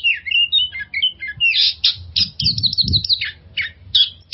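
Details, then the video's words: Magpie-robin lure song for overcoming stress in kept magpie-robins: whistled notes first, then harsh buzzy bursts and rapid repeated chips, with a faint low thumping underneath. "suara pancingan burung kacer untuk mengatasi stress"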